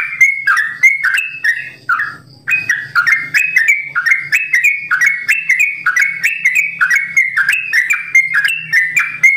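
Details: Simbar jati sooty-headed bulbul kept at a bird farm in long 'ropel' song: a brief pause early on, then a quick stream of liquid whistled notes over a low steady hum.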